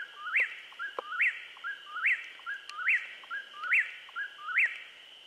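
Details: Whip-poor-will song at dusk in southeast Missouri, several birds calling: rhythmic whistled phrases with a short lead note and a steep up-and-down slur, about seventy per minute, with a steady high-pitched insect hum behind them.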